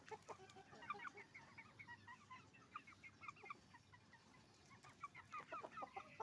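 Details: Flock of hens and roosters at a chicken farm: continuous busy clucking, many short notes overlapping throughout, with a slightly quieter stretch midway before the chatter swells again.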